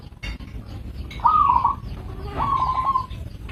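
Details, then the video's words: Local zebra dove making two mellow, level coos with a faint tremble, about a second apart, following a few soft clicks amid low background rumble. "Suara Perkutut lokal"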